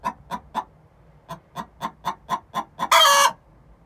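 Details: Two 6-month-old hens giving the egg song before laying: a run of evenly spaced short clucks, about four per second, ending in one loud, harsh, drawn-out squawk.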